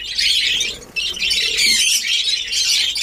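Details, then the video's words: Budgerigars in a captive colony ready for breeding, Darbhanga, Bihar: steady, buzzy, high warbling chatter from many birds, dipping briefly before one second, then continuing unbroken. "Badguies Parrot New Colony Ready // Badguies Parrot Breeding Start //"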